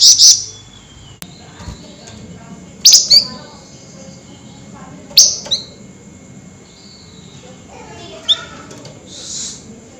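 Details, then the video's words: Excited flameback giving sharp, high 'nyerecet' calls at night: single piercing chips and short doubled notes spread out every few seconds, with a faint hiss between them. "Burung FLAMBOYAN GACOR Nyerecet Emosi Tinggi DiMalam Hari"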